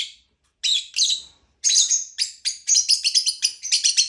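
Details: Lovebird chirping: sharp, high chirps starting in a sparse pair, then speeding into a rapid run of bright, repeated notes; quiet background.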